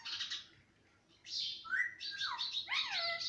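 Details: Talking pet parrot, said to repeat papa, mummy and mittu, utters a raspy burst, a pause, then a clear sliding whistle followed by buzzy downward-swooping syllables.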